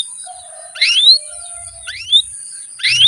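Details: Canary singing, in a long training recording meant to coax lazy young birds into song: three loud, quick upslurred whistles, each sweeping sharply upward, spaced about a second apart, with a faint low hum between them.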